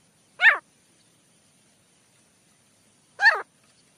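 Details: Male teetar partridge used as a hunting call: two separate loud, falling, slightly rough notes nearly three seconds apart, in quiet surroundings.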